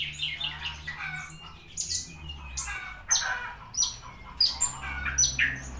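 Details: Javan bushlark singing a mix of chattering phrases and sharp high downslurred whistles at irregular intervals, with a low hum behind.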